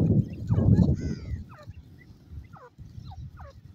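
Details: Grey francolin chicks giving a few thin, falling peeps spaced irregularly, after a burst of low thumping noise at the start.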